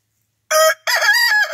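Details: Rooster crowing: a short harsh opening note, brief pause, then a long rich harmonic cock-a-doodle-doo phrase with wavering pitch, clean and loud without other sounds.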